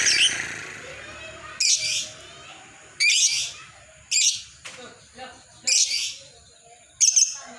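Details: Lovebird ngekek chatter, used as master audio for training and luring other lovebirds: harsh, buzzy, high-pitched bursts about half a second long, repeated irregularly every one to one and a half seconds, with quiet gaps between.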